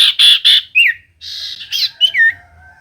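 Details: Common iora song played to provoke reluctant caged birds into singing: three loud buzzy notes, then a falling slurred whistle and a run of scratchy rising and falling phrases.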